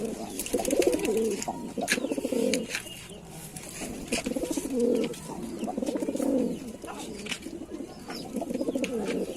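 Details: Cooing Lalsara pigeon: a series of deep, vibrating, purring coos in bursts about every two seconds, with sharp clicking noises throughout.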